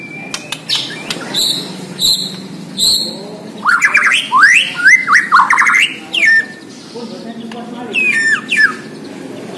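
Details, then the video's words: Borneo white-rumped shama in full, energetic song, with short metallic chips repeated about once a second, then a dense run of rising and falling whistled sweeps and a few buzzy trills near the end. "MURAI BORNEO GACOR DARRR DERRR DOORRR"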